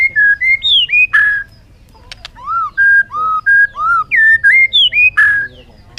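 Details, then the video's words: A bird song from 2021 made of loud, clear whistles. Short rising and falling phrases repeat in two bursts with a brief pause between them. A few sharp clicks sound in the gap. "suab noog quaj zoo heev"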